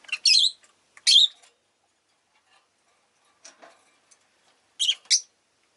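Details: Rosy-faced lovebirds kept as pets give paired harsh, strident squawks, a quiet gap with a soft low note, then another double shriek.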